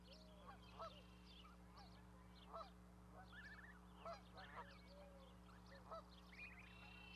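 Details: Goose with goslings on an osprey nest platform in Charlo, Montana, on May 12, 2020; short nasal honks about every one and a half to two seconds, with many small birds chirping and whistling around and a steady low hum.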